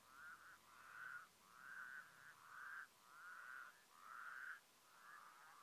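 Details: White-naped crane in Mongolia, 2015: loud, trumpeting, slightly rising notes repeated about once a second in a steady run of seven, each note rich and harmonic, over a quiet background.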